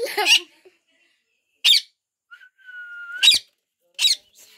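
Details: A pet parrot with children makes squeaky, scratchy notes and one long, steady whistle that dips slightly, after a brief burst of human voice at the start.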